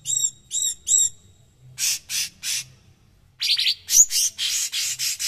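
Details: Cucak cungkok, a bird kept to tutor other songbirds and prized for its rough, dense voice: three ringing, harmonic notes, then a run of harsh, buzzy bursts, a pause, and a fast string of coarse, rasping notes.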